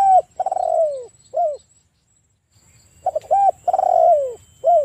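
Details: Luring coos from an actively calling spotted dove in 'kuk 1' style: a long buzzy coo sliding downward and a short final coo, a quiet gap, then a fresh phrase opening with quick stuttered coos; faint high hum behind.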